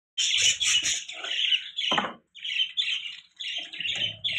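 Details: Budgerigars chirping: harsh, scratchy chattering phrases in bursts, with a low rustling thump near the middle and soft low clicks underneath.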